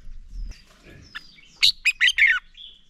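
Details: Red-whiskered bulbul singing to encourage other bulbuls to sing: after a soft thin whistle, a tight burst of four or five loud, rich whistled notes ending in a short trailing note, with faint rumbling behind.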